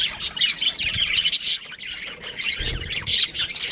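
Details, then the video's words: High, scratchy squawks and chirps from baby budgerigars in an aviary, delivered in short bursts with a brief lull midway and a faint low thud. "Baby Budgies Chirping Sounds | Amazing budgies aviary"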